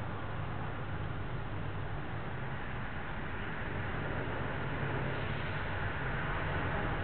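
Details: Steady low rumble of engine-like noise fills the whole stretch, with no animal voice heard.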